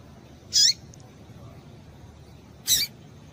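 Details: A female Double-collared Seedeater gives two brief, high, sharp chirps about two seconds apart over faint background hiss, calls used to excite and stimulate males to sing.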